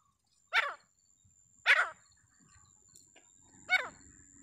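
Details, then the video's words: Grey francolin uttering three separate harsh, downward-sweeping calls about a second or two apart, with a faint steady high tone and low background murmur. "जंगल राम तीतर आवाज"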